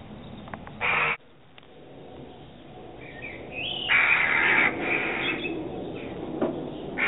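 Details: Two adult Eurasian jackdaws alarm-calling while defending their young, filmed with a 3.5-megapixel camera; a short harsh burst, then a loud rasping call after a pause, continuing in grating, noisy bursts.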